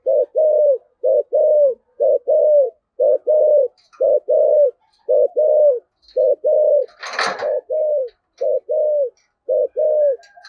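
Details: Steady run of low paired coos from a spotted dove, 'giọng thổ' voice, 'cúc dính' luring style, roughly one pair per second, each second note drawn out and dropping; a sharp click near the middle.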